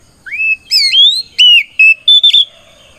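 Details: Oriental magpie-robin singing a loud "ngeplong" fighting song that calls out rivals: clear whistled phrases that rise and then hold steady, ending in short, sharp notes over a faint low background murmur.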